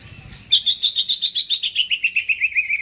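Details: Caged greater green leafbird before being hung up, giving a clean, rapid run of about fifteen evenly spaced whistled notes that slide gently downward in pitch.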